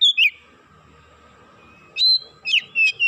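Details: Oriental magpie-robin singing excitedly: a quick high whistled phrase, a pause with low background hum, then clear sustained and rising whistles.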